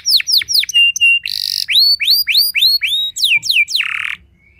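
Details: Canary singing to provoke other canaries: clear descending and rising whistled slurs, a brief buzzy rattle, a run of loud rising whistles, and a closing harsh buzzy note before quiet.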